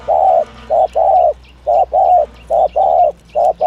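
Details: Spotted dove in the 'thổ thúc gù' call style, a recording meant for luring doves: deep hollow coos grouped as a clipped note plus a drawn-out note, repeating rhythmically in a quiet setting.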